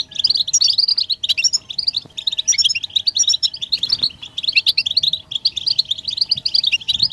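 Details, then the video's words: Group of European goldfinches twittering, a chorus of mating calls meant to stimulate males to sing; dense, rapid chirps and trills overlap continuously in bursts, with a few higher tinkling notes, and a faint steady hum underneath. "بتبتة حسون الشوك تحفيز الحسون على التغريد والهيجان علاج صمت الحسون goldfinch stimulation"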